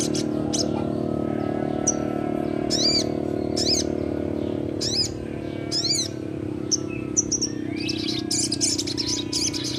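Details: Young sogon, a Crimson Sunbird, giving ngleper-style song meant to coax reluctant birds into singing: scattered high, thin chirps in short bursts, a quick cluster near the end, with a constant low background drone.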